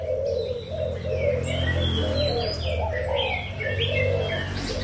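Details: Low, muffled coos from young caged spotted doves of Malaysian and Thai origin, 24 June 2021, repeat steadily beneath a busy layer of sharp chirps and twitters from other birds and a low rumble.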